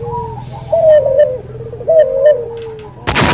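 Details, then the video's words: Two drawn-out wavering coos from a cuhu dove, a cross of white albino puter and puter pelung, used for bird training, followed by a sudden loud crack at the end. "MASTERAN BURUNG CUHU HASIL SILANGAN PUTER ALBINO PUTIH VS PUTER PELUNG"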